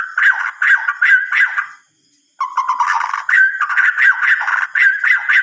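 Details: White-rumped shama singing at night in harsh, buzzy chattering bursts. A short silence breaks the bursts before the dense chatter resumes.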